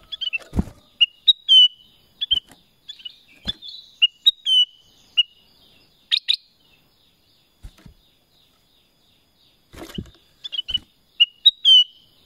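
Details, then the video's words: Repeated short whistled phrases from a black-crested bulbul (kutilang emas), each a few bright slurred notes, spaced unevenly over twelve seconds, with occasional sharp clicks and quiet gaps. "Suara Kutilang Emas | BLACK CRESTED BULBUL"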